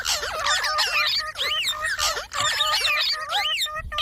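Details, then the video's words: Talking parrot imitating human speech: a dense run of rapid, harmonic, warbling syllables with swooping pitch bends, in continuous chatter-like phrases broken by brief pauses. "Talking parrot video| Parrot sounds videos Compilation | mitthu mitthu | parrot voice"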